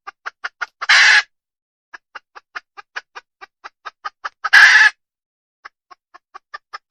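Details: Female wild junglefowl clucking steadily and rapidly, with two loud grating squawks about three and a half seconds apart, clucks continuing between and after them.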